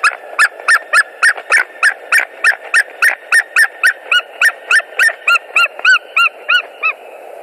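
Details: At a Latvian nest in February 2020, as the male flies in, a white-tailed eagle gives a long, even run of some twenty-two clipped yelping notes about three per second; later notes turn clearer and arched, over a faint low hum.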